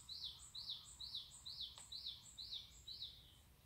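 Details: Wild bird singing at dawn deep in the mountains of Pocheon, Korea: a fast repeated phrase of an arched, slurred whistle, each paired with a thin high tick, about two phrases per second, over a faint low rumble.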